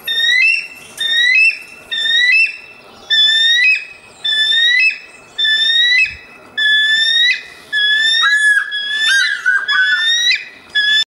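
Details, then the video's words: Bald eagle calling: bursts of high, thin whistled piping notes with a slight upward slur, repeated roughly once a second for about nine bursts. The last few bursts break into more uneven, tumbling notes. No other sounds are clear. "Calling of a bald eagle."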